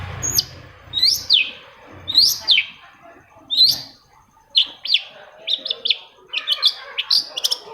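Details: Long-tailed shrike (cendet) singing to stimulate other shrikes: a few drawn-out, slurred descending notes, followed by quicker, choppier chirps that speed into a busy chatter, with a faint low rumble at the start.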